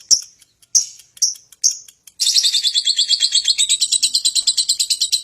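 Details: Lovebird singing to trigger other birds: four short sharp chirps spaced about half a second apart, then a sudden burst of fast, continuous, rasping chatter.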